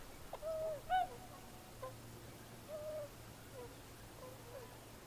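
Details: Tundra swans, including a juvenile, filmed on the water on January 31, 2016 with a Panasonic camera and clip-on microphone; several soft, mellow hooting calls, a louder pair near the start, then quieter ones against low background hum.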